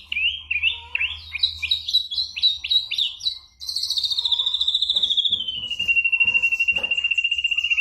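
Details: Mimicking ashy drongo: a run of short stepped whistles, then a long fast trill that slowly falls in pitch and continues evenly to the end, with faint clicks behind.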